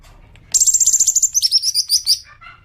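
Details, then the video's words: Green magpie lure sound aimed at triggering long chattering: a very high rapid trill running into a string of sharp slurred notes that slow and fade toward the end. "Pancingan suara cuca ijo agar cepat ngekek panjang"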